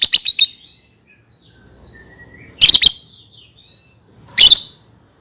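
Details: Lovebird song used for tutoring young birds: a quick run of four shrill chirps, thin wavering whistles, then two loud rasping squawk bursts.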